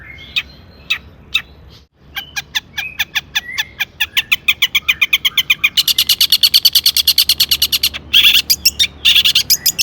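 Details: Long-tailed shrike song full of mimicry, used to provoke other shrikes: scattered chirps give way to a steady, accelerating series of dry ticking notes, then loud harsh chattering bursts.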